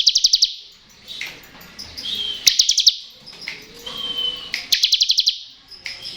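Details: Bar-winged prinia giving short ngebren phrases, used to lure reluctant birds into song: three brief bursts of five or six fast, shrill, buzzy notes, with softer chirps and thin whistles between them.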